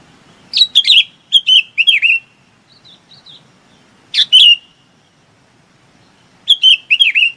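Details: Chinese babax calling its flock: loud, clear, downslurred whistles with sharp starts, given in runs of four to five notes, then a single note, then another run, with quiet gaps between.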